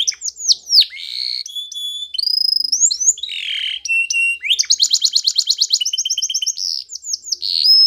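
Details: Varied Spanish Timbrado canary song used for training: bright whistled slides, a steady held note, a low dipping phrase, then a fast buzzy metallic trill and closing whistles.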